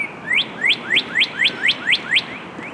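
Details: Northern cardinal song: eight sharply rising whistled slurs delivered in quick succession, roughly every quarter second, loud and clean against a quiet background.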